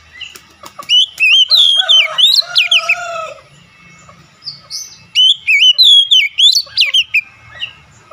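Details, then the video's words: Caged Oriental magpie-robin in full song: two bursts of loud, rich whistled phrases with zigzag notes and lower warbled slurs, separated by a quiet pause. "KACER SETRES LANGSUNG GACOR"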